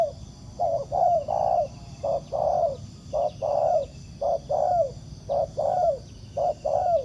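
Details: A wild spotted dove answering a decoy at a ground trap delivers a steady run of deep, rounded coos, each pair a brief note then a longer sliding-down note, about one pair per second.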